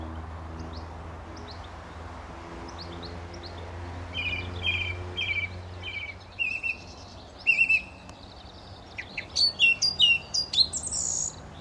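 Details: Male song thrush singing close by at a gravel pit near St Albans, England, May 2012: a short clear phrase repeated about five times, a double note repeated, then loud varied high chirps and trills, over low background hum.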